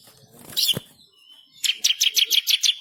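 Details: Bar-winged prinia singing an energetic master song: a brief chirp, then a fast train of about nine sharp, high, ticking notes repeated evenly.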